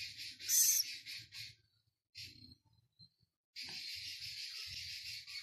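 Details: Six-day-old captive Philippine scops owl chick at Prague Zoo, recorded Thursday 13 August: an opening shrill screech trailing into pulsed hisses, a short soft wheeze, then a long steady breathy hissing call to the end.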